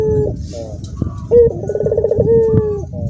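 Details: Dorongan coo of a caged Barbary dove with cagemates joining in, heard over rumbling background noise: a short rising note, a rapid pulsed roll, then a held low tone fading out.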